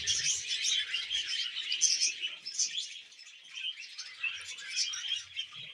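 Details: Happy budgerigar warbling steadily in a rapid, scratchy jumble of high chirps, clicks and squeaky notes, a little quieter toward the end.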